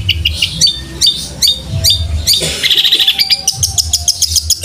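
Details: Fast fighting-sparrow-style song of a long-tailed shrike, recorded to train cage birds: irregular sharp chirps, then a burst of buzzy rattling trills and quick repeated notes, with a low hum beneath.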